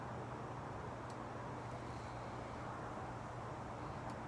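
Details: Steady roar of road traffic with a low constant hum and a couple of faint clicks, no animal calls heard.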